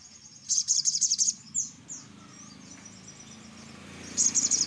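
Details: Spiderhunter (sogok ontong) calls played as a lure: a rapid burst of sharp, very high chirps, then scattered thin notes and a quiet gap. A second quick chirping burst comes near the end, over soft low background hum.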